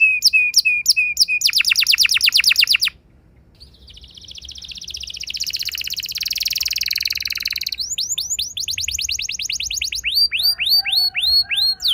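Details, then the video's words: Young canary singing long rolls as a lure for other canaries: rapid trill, a brief pause, a long rising buzzy roll, then fast trills and crisp repeated whistles. "Seketika Burung Kenari Lain Ikut Gacor Ngeroll Panjang! Pancingan Ampuh Kenari Paud"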